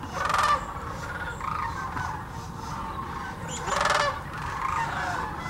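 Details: Recorded with a GoPro Hero 9 and a Canon Powershot at Hiwassee Wildlife Refuge, Tennessee: a massed sandhill crane flock, with two loud, rattling trumpet calls standing out near the start and after mid-clip.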